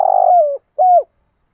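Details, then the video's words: Morning cooing of a spotted dove kept as a decoy to call the flock: a long throaty coo falling slightly at the end, followed by one shorter rounded coo, clean and close. "tiếng chim cu mồi gáy gọi bầy buổi sáng"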